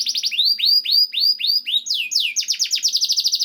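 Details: Canary singing to coax other canaries into song: a run of slurred high whistles dropping in pitch, repeated about five times a second, then a quickening buzzy trill of short notes.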